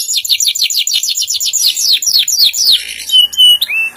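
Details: Pet canary in vigorous song: a long rapid trill of descending notes, followed by two clear flat whistles.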